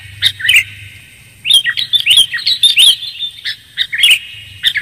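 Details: Sooty-headed bulbul in a clear luring recording: two quick chirps open, then a busy run of bright, liquid, bouncing notes with a few sharp high ticks, ending in scattered chirps over a faint low hum.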